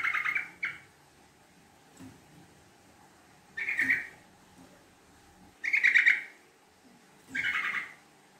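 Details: Yellow-vented bulbul giving a fast, lively lure chatter of the long 'ngekek' style. Four short, bright, rattling bursts repeat roughly every two seconds, with soft low background sounds between them.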